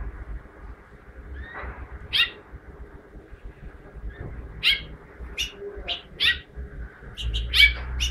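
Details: House finch singing, with short high chirps and rising notes scattered every second or so over steady low hum and background noise.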